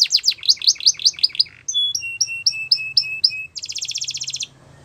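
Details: Canary singing as a training song for young birds: about nine fast descending chirps, then a row of repeated pure whistled notes, followed by a dense, rapid high-pitched trill before stopping.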